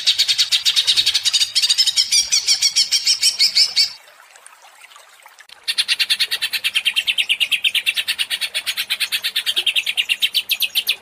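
A greater green leafbird pours out fast, buzzy chattering notes at about three per second, high and dense. It pauses briefly, then resumes an unbroken rattling run.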